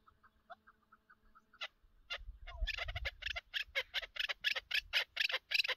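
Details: Chukar partridge heard on a partridge hunt: faint distant notes, then a loud, accelerating burst of harsh clucks repeated roughly every third of a second, with a brief thump of handling noise.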